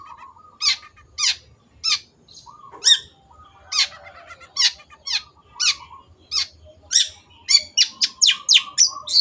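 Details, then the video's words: Long-tailed shrike in lively song used to train caged birds: short, sharp scratchy notes spaced roughly half a second apart, speeding into a rapid chatter at the end, with soft low notes between and a faint hum. "MASTERAN BURUNG CENDET GACOR"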